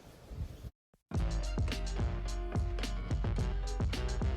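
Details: Soft noise, then a brief silence, followed by steady rhythmic music with regular drum beats and sustained instrumental notes; no animal voice is heard.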